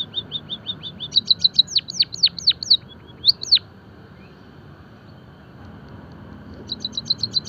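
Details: Song-training and stimulation recording of a finch or munia: fast high chirps that build into loud, steeply falling notes, a silent gap of about three seconds, then another rapid chirp burst.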